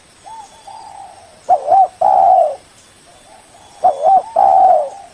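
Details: Spotted dove lure call meant to draw in a rival, heard as soft introductory coos followed by a wavering coo and a longer, louder steady coo, the phrase repeated twice with a faint high hiss behind.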